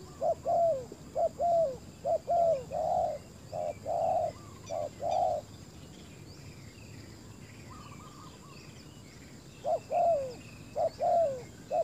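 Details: Decoy spotted dove on a ground clearing calling to lure fierce wild doves: a rapid run of paired coos, each second note slurring downward, then a pause with distant higher bird notes before the coos resume.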